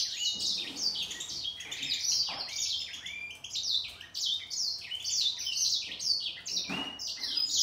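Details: Grey singer finch and green singer singing against each other: continuous rapid high-pitched twittering with sharp slurred whistles and occasional soft clicks beneath.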